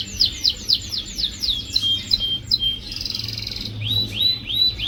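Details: Canary singing as a prompt for a bird that will not sing: fast repeated high downslurred notes, a brief buzzy roll, then rising whistled notes, with a low background hum.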